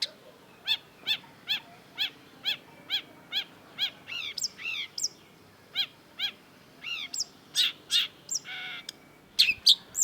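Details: Singing long-tailed shrike: a steady series of clear down-slurred harmonic notes about every half second, shifting into varied chirps, rasping bursts and a harsh buzzy note.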